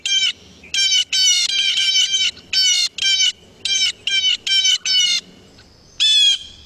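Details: Blue Jay, a noisy year-round resident with alike sexes, giving a series of loud, harsh, buzzy jay calls in quick bursts, with a brief squeaky note near the end like a squeaky door.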